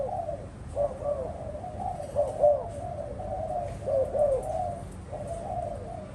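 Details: Spotted dove kept by a bird keeper, giving low, mellow cooing phrases that rise and fall, in loose clusters with short pauses between them.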